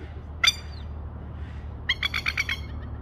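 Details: Spur-winged plover with chicks in Australia: one sharp, harsh, ringing note, then after a pause a fast burst of about six strident, rattling notes, over low steady background rumble.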